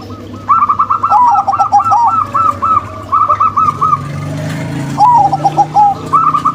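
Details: Zebra doves, a local female and a crossbred male, singing in overlapping phrases: rapid hooked coos stacked with lower rolling notes, repeated runs with short pauses, plus a brief low rumble.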